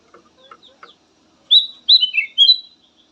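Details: Black-headed bulbul song, described as melodious and suited for prompting other birds to sing. A few soft notes, then three loud whistled phrases that slur and drop, each about a third of a second, in a quiet setting.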